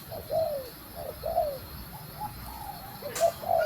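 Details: Female spotted dove cooing to stimulate the male: soft, low, hooting coos, each briefly rising then falling, repeated about once a second, with one sharp click near the end.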